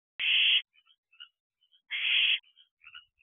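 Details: Barn owl owlets in a nest box at night, 11:11 pm on June 11, 2023, calling together: broad rasping hisses about half a second long, two in three seconds, with faint short chirps between them.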